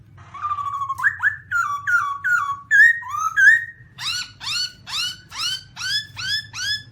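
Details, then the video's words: Black-throated laughingthrush (Garrulax chinensis) singing a rapid run of upslurred whistles, then a fast regular series of about ten harsh rising notes, roughly one and a half per second; low hum below. "Black-throated laughingthrush (Garrulax chinensis): Funny Sounds And Funny Dances"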